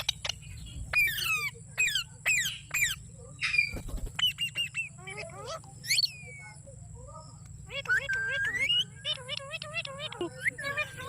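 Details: Green parrot chirping in the USA: sharp, rapidly rising and falling chirps in short bursts, some with harmonic overtones, separated by brief pauses, over a steady low hum.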